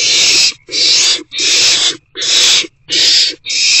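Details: Owlet in a nest box at 7:50 pm on 1 April 2024, excited about the first food delivery of the night; harsh, hissing broadband screeches about half a second long, repeated six times with short silent gaps.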